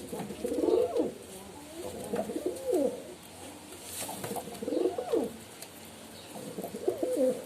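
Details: Pigeon sounds in an indoor space: short, bubbling rising-and-falling coo notes in loose groups, quieter and more broken than a full coo, with slight room echo.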